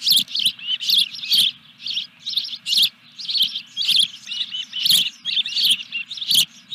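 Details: At the Dunrovin Ranch osprey nest, July 14, 2021, as a fish arrives, a near-continuous stream of loud, high, squealing chirps, several per second, over a faint low hum.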